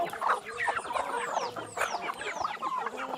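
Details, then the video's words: Free-range chickens at feeding time give dense overlapping clucks and short chattering notes, with thin falling whistles sliding down from high pitch at intervals. "Tratando das Galinhas Caipira ou india"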